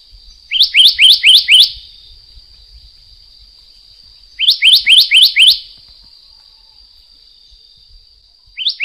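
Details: Black-naped monarch of the Taiwan endemic subspecies. It gives two quick bursts of about five sharp rising whistled notes each, with a single note starting at the end. A steady high-pitched hum runs underneath throughout.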